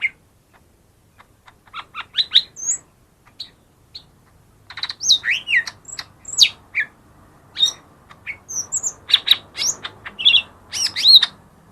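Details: Lesser green leafbird song used as a lure for quiet birds: scattered chirps building into a continuous, varied chatter of squeaky whistles, sharp clicks and slurred high notes.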